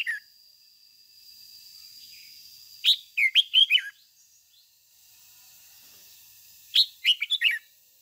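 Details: Chattering 'ché' song of a red-whiskered bulbul kept as a decoy to spur other bulbuls to sing. Two rapid phrases of five quick whistled, slurred notes, nearly four seconds apart, with a thin continuous high tone.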